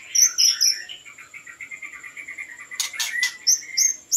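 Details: White-rumped shama song used to lure birds: a few high piping notes over a long even trill of rapid repeated notes, then sharp clicks and spaced high whistles.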